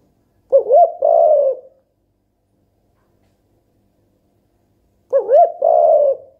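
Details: Two low coos from a pet mourning dove, about four and a half seconds apart. Each opens with a wavering rising slur and settles into a sustained, slightly buzzy hoot, with silence between them.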